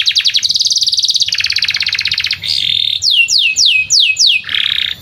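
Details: Canary in long song beside a field, played to teach young canaries: an opening of rapid buzzy trills, then five clear upward-sweeping whistles, ending with a short rough rattle.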